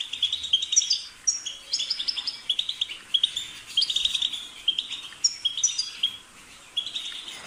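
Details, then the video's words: European goldfinch song: bursts of bright, liquid chirps and twittering trills in quick phrases, briefly pausing between runs, high-pitched and tinkling throughout. "The sound of the goldfinch's chirping"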